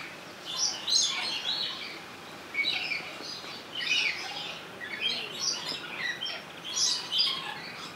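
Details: Zoo-held rainbow lorikeet in Opole, taped with a Sony HDR-XR160E: rapid series of piercing, noisy shrieks, bunched in quick sequences with a brief lull near the two-second mark.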